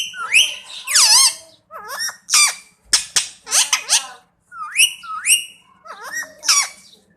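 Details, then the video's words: Talking Indian parrot, a pet that says Mian Mithu, giving loud rising whistles and harsh squawky syllables in clustered phrases about every second, with brief silences between groups and a low background hum. "Indian Parrot saying Mian Mithu..Talking Mian Mithu"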